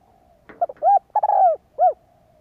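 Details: Spotted dove calling to excite and train decoy birds. It gives one phrase of soft, low, hollow coos, with short clipped notes leading into a longer throaty coo and a final separate coo. The background is quiet.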